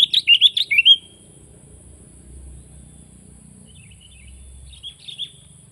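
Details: Sooty-headed bulbul giving a quick burst of loud, bubbly warbled notes in the first second, then quiet with a few faint chirps near the end; low background hum throughout.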